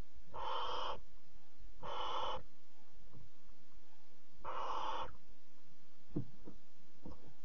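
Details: At night in a nest box, a barn owl mother arrives with a bird for her chick; three rasping, noisy hisses of about half a second, with faint soft clicks and shuffles between them.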